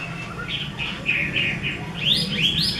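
A Chinese hwamei sings a run of clear mid-pitched whistles, then quick high slurred phrases that swoop up and down, over a low background hum.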